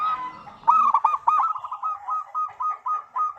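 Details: Singing local zebra dove used to lure other doves: a rich rolled coo opens, then clipped soft cooing notes repeat about three times a second, fading slightly toward the end.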